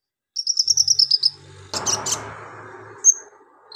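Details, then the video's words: Van Hasselt's sunbird (kolibri ninja), a lively singer, with mimicry of golden grasshopper, lovebird, cricket and cililin, used as tutor song: a fast high buzzy trill of about nine notes, then a noisy rattling burst and one sharp whistle, over low hum. "KONIN GACOR NGOBRA ISIAN BELALANG EMAS LOVEBIRD CILILIN BUAT MASTERAN"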